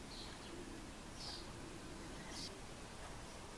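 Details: Great spotted woodpecker, an adult female and a juvenile at the nest cavity in Üröm, Pest County, Hungary, June 2014: three short, sharp high notes spaced about a second apart over a steady background hiss.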